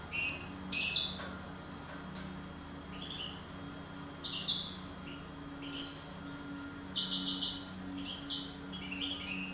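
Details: Parva goldfinch from a breeding pair singing a soft, rather distant-sounding stream of quick twittering notes and short trills, steady low hum in the background.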